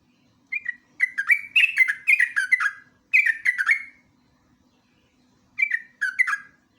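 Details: Sooty-headed bulbul, known locally as jogjog or trucuk, singing in the rapid ngeropel style on a lure and master recording: bursts of quick bubbly warbled notes in short runs, separated by brief silences, over a clean quiet background.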